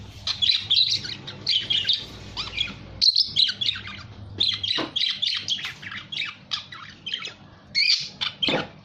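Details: Budgerigar giving a dense, continuous chatter of rapid chirps, squeaks and warbled notes, closely packed with only short pauses, including a brief break near three seconds.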